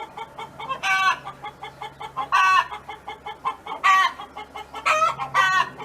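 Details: Neighbour's hen on a farm singing: a run of soft, evenly paced clucks carrying five loud, nasal, drawn-out calls that come in an irregular series.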